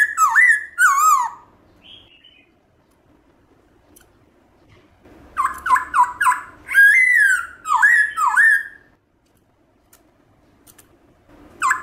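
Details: Black-throated laughingthrush in wild-type song meant to excite caged birds into singing: strong clustered phrases of falling, ringing whistles and quick slurred notes, delivered in loud bouts with silent pauses between.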